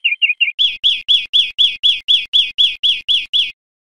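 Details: European greenfinch on a wild-birdsong teaching recording for cage birds: three soft chirps, then twelve loud, rich, arching notes repeated about four times a second.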